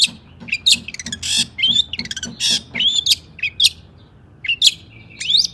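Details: Long-tailed shrike song played as a lure for other shrikes: scattered rising whistles, harsh grating bursts and squeaky notes with pauses, over a faint low background hum.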